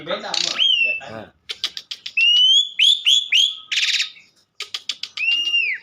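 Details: Asian pied starling mixing quick dry clicks with repeated ringing whistles that rise and level off, plus a harsh rattling burst and a final arched whistle.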